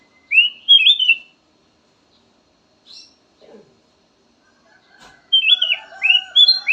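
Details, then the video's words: Kutilang emas (golden bulbul) song. It begins with a phrase of rising, bubbling whistles, then brief faint notes, ending in a further burst of whistles over a lower, buzzy background tone. "VARIASI KICAUAN BURUNG KUTILANG EMAS SYAHDU DAN COCOK BUAT PANCINGAN"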